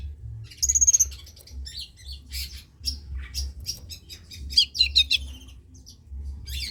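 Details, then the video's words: Song of a long-tailed shrike, used as a lure to get reluctant shrikes singing. It opens with a high whistled trill, then scratchy, buzzy notes in irregular clusters over a constant low hum. "Suara Cendet PASTOL GACOR || Pancingan Cendet Malas BUNYII"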